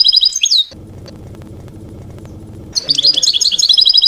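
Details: European goldfinch singing field-style ('campero') song for young goldfinches to copy while moulting: a quick buzzy twittering phrase, a pause of low hum, then a dense, bubbling run of high chirps and trills.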